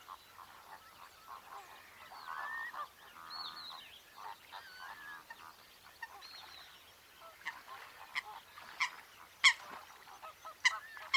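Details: Coot in its natural wetland habitat, giving short nasal honking calls with a layered, buzzy tone and a few higher squealing notes, then sharp clicking notes in the last seconds. Several calls overlap.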